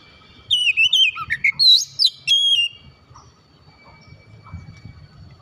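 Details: Oriental magpie-robin, known locally as kacer, delivering a two-second burst of rich whistles, quick slurred chirps and sharp rising notes, then falling quiet with faint low background rumble.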